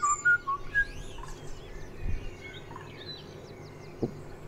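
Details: In a June dawn chorus, with birds singing together first thing in the morning and cows nearby, a blackbird's mellow, mid-range fluted whistles open the passage among higher chirps and trills, with a couple of low thumps.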